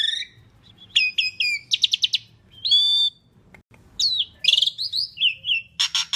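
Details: Loud Asian pied starling song intended as a lure for other birds, with bursts of rapid chattering notes, a long whistled note, short gaps, then sweeping whistles and harsh buzzy chirps against faint low background noise.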